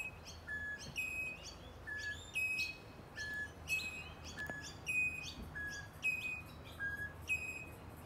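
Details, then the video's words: Rainbow lorikeet singing from hiding among eucalyptus branches in Melbourne's eastern suburbs, a unique whistling song: a lower clear note followed by a higher ringing whistle, the pair repeated steadily about every seven-tenths of a second, with faint low background hum. "Rainbow Lorikeet sings with its unique whistling sound!!"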